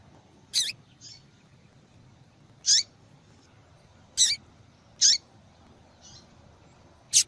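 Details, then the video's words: A female yellow-bellied seedeater calls over and over, a sound used to rouse males into song. Sharp, high chips come about every one to two seconds at an uneven pace, mixed with weaker, softer notes. The background is quiet. "Fêmea de Papa capim Chamando Muito !"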